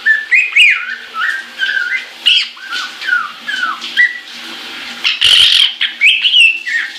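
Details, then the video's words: Caique singing happily in the shower in January 2016, a lively run of short whistled and chirpy notes in quick succession, some sliding up and down, with a harsher burst near the end and running water throughout. "Caique Shower Song"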